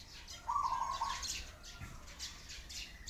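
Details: Pigeon crying with sparrows nearby: one bright, rasping, mid-pitched call lasting under a second, set against a busy background of high, quick sparrow chirps.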